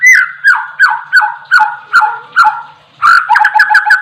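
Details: Oriental magpie-robin singing actively: a series of downslurred whistles, each falling in pitch, repeated about every half second, then a quicker cluster of sharp chips mixed with lower whistled notes.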